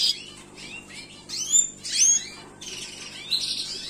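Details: Gloster canary singing in short, high bursts: thin chirps and bright upward-swept whistled notes separated by brief pauses, with a quiet background.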